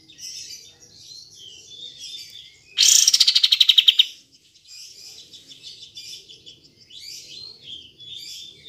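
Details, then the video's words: Kapas tembak bulbul song used as a prompt for lazy birds to sing: a loud, rapid burst of about a dozen buzzy repeated notes lasting a second, set against continuous soft chirping from other birds. "Pancingan Kapas Tembak Macet / Malas Bunyi"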